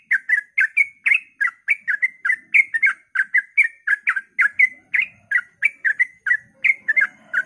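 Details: Sooty-headed bulbul at daybreak, its song used to prompt other bulbuls to sing: an unbroken stream of short warbling, gurgling notes delivered several per second, with a faint low murmur in the background.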